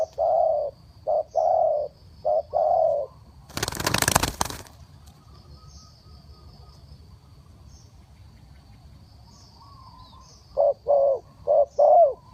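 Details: Decoy spotted dove calling wild birds down in 'three kuk hoi' style: several low hollow coos, a sudden loud rustling burst, a long near-silent gap, then the coos resume.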